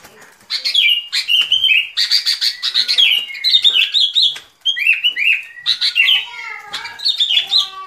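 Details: Sooty-headed bulbul song used as a lure for trapping: loud, bubbly, warbled whistled phrases with rising and falling notes, delivered in rapid runs with brief pauses.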